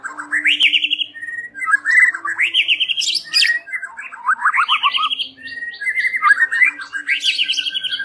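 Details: White-rumped shama evening lure song: loud rich phrases of fast rising trilled sweeps, each ending in sharp high notes, repeated with scratchy chatter between.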